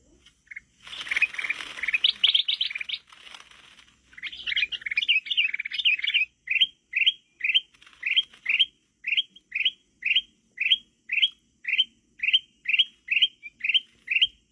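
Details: Sooty-headed bulbul, used for luring birds in a forest: after an opening jumble of bright chirps and warbles, a steady series of short, rising whistled phrases repeated about twice a second, clear and loud.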